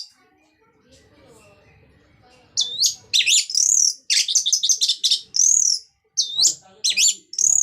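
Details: Orange-headed thrush giving steady 'ngeplong' song to encourage silent thrushes to sing. Loud, high, looping whistled phrases and chattering notes come in quick bursts after a few seconds of soft indoor background noise.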